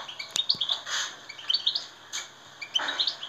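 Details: Goldfinch song used to rouse captive goldfinches: clusters of bright, quick chirps separated by rasping, buzzy notes, with a sharp click near the start.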